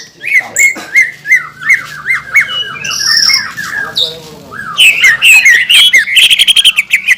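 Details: Green leafbird in full song, used as a lure to provoke other green leafbirds: a quick run of sharp, bright notes repeated about four times a second, then a burst of higher, harsher, chattering phrases near the end.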